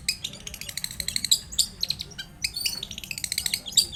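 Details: Long-tailed shrike pouring out a dense, twittering song used as a lure: rapid scratchy chatter and squeaky notes packed closely together, quieter than the surrounding clips, with brief pauses.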